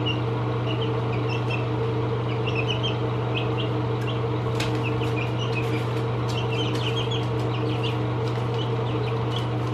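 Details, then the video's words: Seventeen-day-old chicks peeping indoors, many short high chirps scattered through the clip, some in quick clusters, over a steady low mechanical hum. "Baby chicks. (17 days old)"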